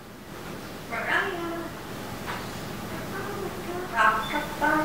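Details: A female pet African grey parrot talks in short, human-like phrases such as "they're all gone" about her pine nuts, with clear voiced tones in three bursts over a few seconds against a low background hum.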